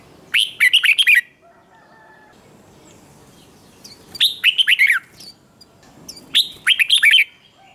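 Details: Red-whiskered bulbul male, caged, in competitive singing: three lively phrases of rapid, warbled whistled notes roughly every three seconds, each about a second long, over a faint background hiss.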